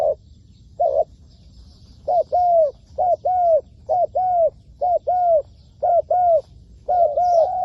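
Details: Decoy spotted dove in a trapping setting, cooing in a long steady series of paired hollow notes roughly once a second, each pair slightly falling at the end; soft high bird chirps behind.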